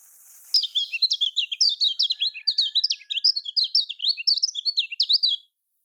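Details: Lemon-bellied white-eye, locally kecial kuning, singing the Lombok-style song used to coax quiet birds. It begins abruptly with a dense burst of crisp, high twittering notes for nearly five seconds, then falls silent.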